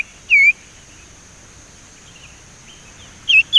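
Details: Young male Sumatran leafbird, still untrained, chattering while learning to whistle: two short bright whistled notes with a curling downward hook, about three seconds apart, against quiet background hiss.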